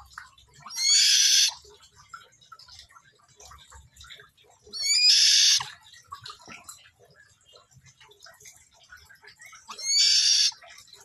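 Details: Buffy fish owl in the morning giving harsh, hissing screeches, each under a second long, repeated about every four to five seconds over faint background sounds.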